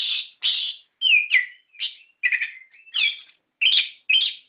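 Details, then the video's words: Orange-headed thrush singing in the 'ngeplong ngerol' style used to provoke caged birds: a lively series of mixed phrases, rough chattery bursts and downward-slurred whistles, roughly two phrases per second. "Pancingan Suara Burung Anis Kembang Gacor Ngeplong Ngerol"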